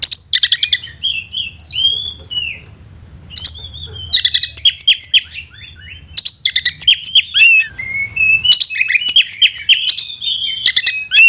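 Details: Caged Oriental magpie-robin delivering bursts of varied song, clicks and chattering notes mixed with sweet slurred whistles, separated by short pauses.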